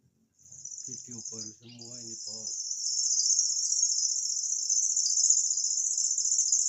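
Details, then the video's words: Imported cici lurik, kept as a song tutor, producing its cricket-like reeling: a high shimmering trill with a brief dip, while a short human voice sounds underneath early on; the trill then grows louder and continues. "BURUNG MASTER SUARA JANGKRIK"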